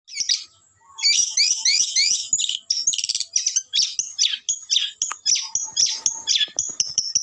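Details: Long-tailed shrike in energetic full song packed with varied phrases, a fast stream of sharp high chirps, trills and squeaky notes running almost without pause, some brief lower whistles beneath.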